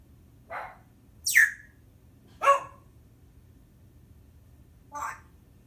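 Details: Timneh African grey parrot vocalizing while talking: four separate sounds about a second apart, including a sharp falling whistle and raspy, voice-like syllables, with quiet room background between them.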